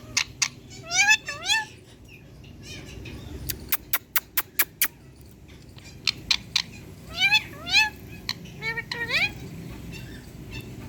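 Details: A hand-tame green Indian ringneck parakeet talks to a mirror, giving harmonic, speech-like phrases in short bursts broken by a run of sharp clicks, over a low household hum.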